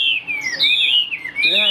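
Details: Chinese hwamei in captivity giving a short burst of clear, sweeping whistles that glide downward, then rise again, ending in a quick rising phrase.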